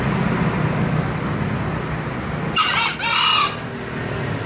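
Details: A green junglefowl crow just past halfway: two raspy syllables, the second longer, over steady low rumbling background noise.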